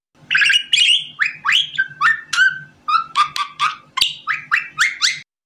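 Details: A budgerigar gives loud, repeated chirrup contact calls, a louder repetitive form that can mean it wants attention, like asking "where are you?" or saying it is bored.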